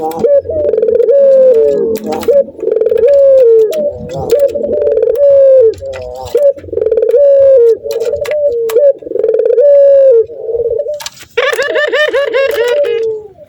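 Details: Male Barbary dove, in breeding condition, calls to a female with a long series of rhythmic descending coos, then breaks into a fast bouncing laugh near the end, with light clicking throughout.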